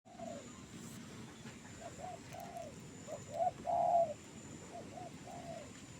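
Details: Trained bird singing actively in a jengkol tree: short, soft, mellow hooting notes in uneven phrases, rising to two louder drawn-out coos near the middle, over a steady low rumble and faint high hiss.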